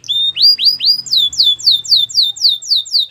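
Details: Belgian canary training song of bright, repeated whistled slurs, first rising sweeps then falling ones, delivered about three a second with a clean, loud tone.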